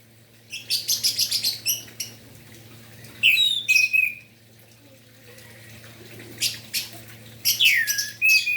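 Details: Orange-headed thrush in prolific morning song, meant to excite other thrushes into singing: rapid high scratchy notes mixed with looping whistled slurs, in bursts separated by short silences, with a constant low electrical hum.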